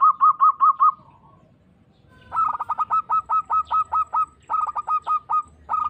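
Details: Local Zebra dove (perkutut) singing in an audition of frequent singers: quick runs of bright, evenly spaced cooing notes, a short burst of five, then after a pause a longer rhythmic series broken by brief gaps. Low background rumble.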